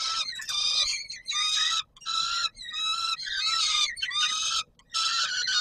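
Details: Warsaw, Palace of Culture and Science, 17 July 2022, feeding time: a peregrine falcon repeats grating, wailing cries about once a second, each with a slightly wavering, strained tone.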